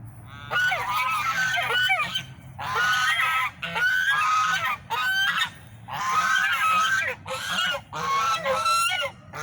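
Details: Swans calling loudly, harsh nasal honking bursts about a second long, several birds overlapping in repeated rounds with short gaps between.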